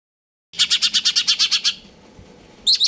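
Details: A Greater green leafbird in stable singing condition gives a fast, ringing rattle of about eleven bright high notes in just over a second, then a sharp high burst after a brief pause.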